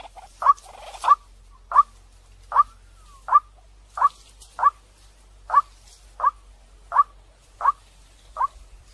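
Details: Fast-responding decoy call of a white-breasted waterhen: twelve sharp, hollow notes with a slight upward flick, spaced a little under a second apart, with a faint low hum behind.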